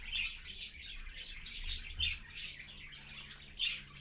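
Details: Parakeets, a parent and babies, heard at dawn at 6:20 AM on 4.1.15; a busy run of thin, high chirping with sharper squawks near the start and end over a soft background hum.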